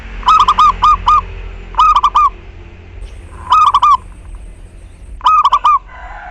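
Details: Zebra dove (local perkutut) song used as a lure to prompt other doves to start cooing: quick bursts of four to six soft, bubbling coos, phrases repeating about every one and a half seconds over a low background hum.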